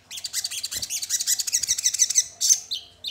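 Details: Crested jay calling as a lure to set other crested jays singing and excited: a dense, continuous high-pitched chattering rattle of fast repeated notes lasting nearly three seconds, ending in a louder squeal and a short lower note.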